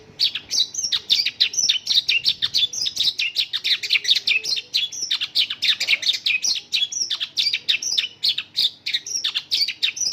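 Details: Mongolian lark delivering a song packed with local bird phrases, a dense, unbroken stream of fast twittering and chirping notes for ten seconds.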